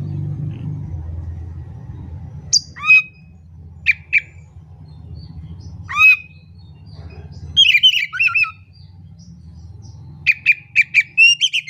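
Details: Oriental magpie-robin song used as a lure to stimulate a quiet, reluctant bird to start singing: scattered loud whistled and buzzy phrases in short bursts separated by pauses, over a low background hum.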